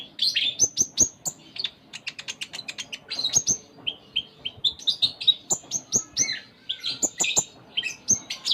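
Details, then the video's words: Sustained vigorous song of a konin, the Ruby-cheeked sunbird, full of varied phrases: rapid strings of high ticks, buzzy chatters and thin whistled notes running almost without pause. "Konin Gacor Full Isian"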